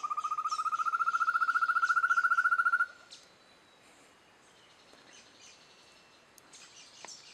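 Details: Rufous-tailed antthrush (Chamaeza ruficauda) song, Campos do Jordão, Serra da Mantiqueira, São Paulo, Brazil, 10 April 2013: a fast, even trill of hollow notes, about ten per second, rising gently in pitch for three seconds, then breaking off.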